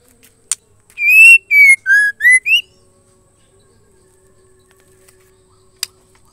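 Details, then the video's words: Female white-rumped shama calling to stir male shamas into singing. A burst of five loud whistled notes over about a second and a half: a long, slightly rising note, a falling one, a lower note, then two short rising notes. Sharp clicks come before and after. "MURAI BETINA MEMANGGIL JANTAN AMPUH BIKIN MURAI LAIN JADI IKUT GACOR"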